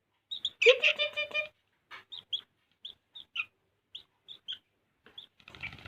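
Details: Sooty-headed bulbul singing in a lively, chattering style: short, bright whistled notes in pairs and threes, spaced roughly every half second. They follow an early loud, harsh, buzzy burst, and a broad rustling noise closes the recording.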